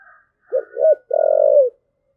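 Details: Spotted dove, "thúc gù" cooing: two short, soft, rounded notes, the second slightly rising, then a long, steady, purring coo with a gentle drop at the end. A faint high, thin tone runs underneath.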